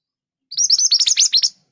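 Scarlet minivet giving a quick, bright burst of about eight high, sharp chirps in roughly one second, with no other sounds.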